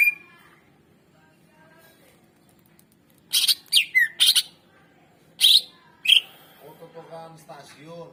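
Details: Greater green leafbird song meant to provoke quiet birds into singing: after a near-silent start, a cluster of loud harsh notes and slurred whistles, then softer trailing notes and a low hum.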